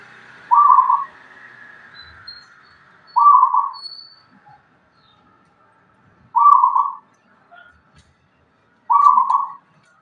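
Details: Local zebra dove from Tuban with a deep voice, kept as a cage bird: short mellow cooing notes repeated about every three seconds, with faint background hiss.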